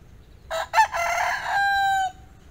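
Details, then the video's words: Rooster crowing, a single loud harsh crow with a choppy start breaking into a long sustained note that ends abruptly, over a faint low background hum. "Ayam Jantan Berkokok"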